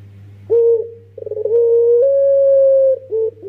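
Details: Young dove of the pelung type, used as a lure, cooing: a short pure note, then a long, smooth, steady coo stepping slightly higher midway, and a brief closing note, over a faint low hum.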